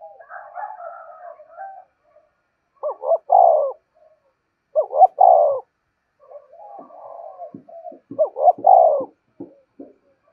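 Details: Lure spotted dove giving its standard coo: a soft murmuring start, then three separate low phrases of short rising notes and a husky drawn-out coo. Faint clicks and murmurs are heard between phrases.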